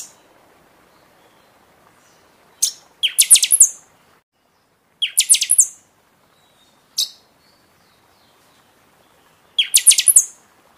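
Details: Caged buffy-fronted seedeater singing during the season, used to stimulate other birds after moult: short high single notes alternate with loud phrases of about six rapid, shrill, descending-then-rising whistled strokes, repeated several times against quiet background.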